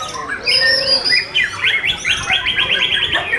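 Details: White-rumped shama of the Black Hok type, a caged bird at a song competition. High sustained whistles and short notes give way to rapid descending swept phrases repeated about five times a second, with other birds faintly singing behind.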